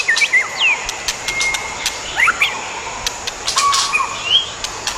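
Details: A pair of adult white-rumped shamas in the wild. Scattered clear whistled notes, some rising and some falling, with short gaps between them. Sharp clicks and a steady high hiss run underneath.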